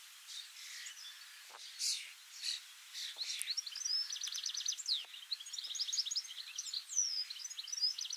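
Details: A European goldfinch, one that feeds on street alder trees and visits a garden birdbath, sings a bright, rapid jumble of tinkling twitters and liquid trills, high-pitched and bubbling without pause.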